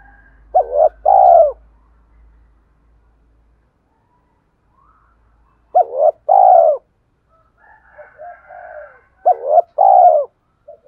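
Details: Spotted dove cooing to stimulate decoy birds to call: three loud phrases a few seconds apart, each a brief wavering note followed by a longer, falling coo, with quieter coos from another bird faintly behind.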